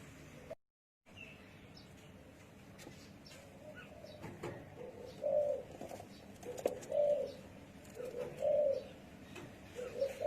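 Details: After a brief gap in sound, a spotted dove begins soft low coos, spaced a second or two apart and growing slightly clearer toward the end.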